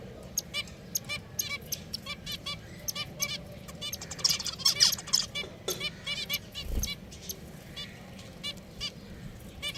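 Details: Several pet finches chatter with short, bright chirps and high twittering notes, several calls each second and overlapping, over a low background rumble.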